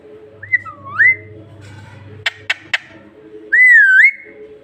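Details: Pet parrot mimicking speech: a dipping-then-rising whistled phrase, three sharp clicks, then a long loud wavering whistled syllable, with a faint low hum indoors.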